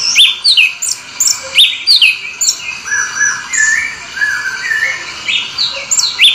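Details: Orange-headed thrush delivering a rolling song of varied swooping whistles and short chirps, rising and falling notes linked in an unbroken flowing phrase with a few lower mellow notes mixed in.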